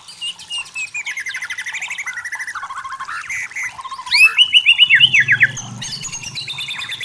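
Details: Forest white-rumped shama giving a dense, rapid chattering song of buzzy trilled notes, then loud repeated upslurred whistles; a low droning hum underneath in the second half.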